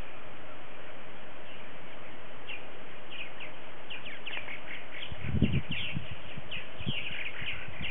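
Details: Morning social of purple martins at a colony of 44 gourds, February 28, 2018, with 60 to 70 adult birds present early in the season; chirps build into a quick chattering stream amid soft wind and a brief handling thump.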